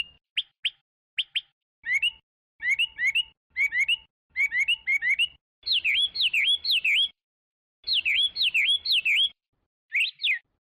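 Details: Chinese hwamei delivering its song in bursts separated by short silences: sharp paired notes, then clusters of rising whistles, and later loud swooping V-shaped whistled phrases repeated in quick series.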